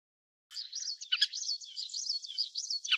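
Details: Little curlews give a steady, high twittering chatter of quick overlapping notes, like a calling flock, running without pause after a brief silence.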